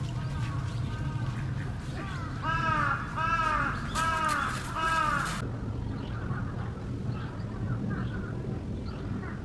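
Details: Spot-billed duck, Kurome River or Sanpoji Pond, second half of 2023, calling a loud descending series of four or five raspy, nasal quacks, then quieter background murmur after an abrupt burst of noise.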